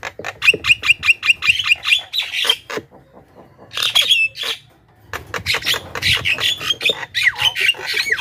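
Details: Javan myna lure recording aimed at wild birds: a rapid series of rough, rasping notes about three per second, a brief pause, then bursts of harsh squawks and chatter resuming to the end.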